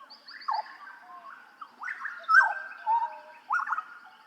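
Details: Hooded butcherbird song from Papua, a master recording for training songbirds: rich whistled and fluting phrases with sliding notes between about one and two kilohertz, loud bursts every second or so, over a quiet background.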